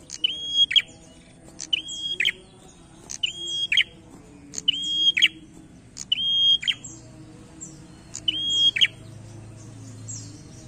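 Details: Prinia singing energetically in a challenging style: six sharp, high phrases about every one and a half seconds, each a snapping click, then a short, steady, high whistle ending in a crackly, buzzy burst, over a low background hum.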